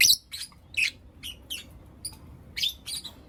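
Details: Lovebirds, Blue Opaline and Lutino Opaline, chirping in the morning; sharp high chirps in short bursts about every half second, separated by brief quiet gaps.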